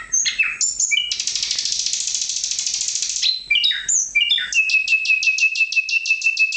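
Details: Nightingale singing a varied phrase: sharp high notes, then a long dense buzzy trill, then quick whistled fragments ending in a fast run of repeated clipped notes on one steady pitch.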